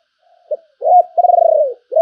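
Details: Spotted dove decoy bird of fine appearance calling: a short low coo, then a longer rolling coo with a pulsed middle, falling slightly at the end, all in a low mellow pitch over silence.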